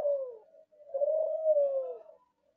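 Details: Kelantan derkuku dove, a young ringed bird of contest stock, sings a soft low coo: a short falling note, a brief pause, then a long smooth sustained coo that sinks at the end, quiet indoor background.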